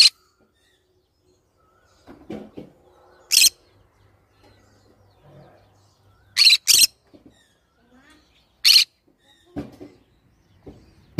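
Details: Green-cheeked conure giving loud, harsh, shrill screeches in short bursts, some closely paired, separated by quieter pauses with soft low murmurs and faint indoor sounds.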